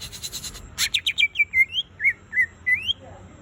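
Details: Greater green leafbird giving a light song: a run of clear whistled notes, rising and falling slurs repeated about every half second after a burst of rapid clicks.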